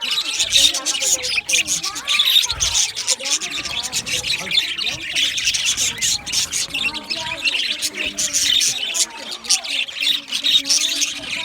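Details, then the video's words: Budgerigars in an aviary singing and chirping nonstop, a thick chorus of raspy high notes, clicks and quick warbles from many birds overlapping for the whole stretch. "Budgie chirping sound | Budgie parakeet singing | Budgie aviary sound"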